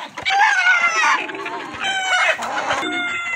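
A rooster gives a loud, harsh cock-a-doodle-doo crow with a rising then falling strained tone, followed by the start of another overlapping crow.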